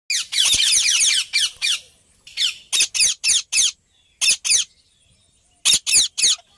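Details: Sun conure (Aratinga solstitialis), flock calls.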